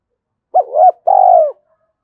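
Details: Decoy spotted dove giving its challenge coo to lure wild doves into fighting: a wavering two-part note followed by a long, rough, slightly falling coo.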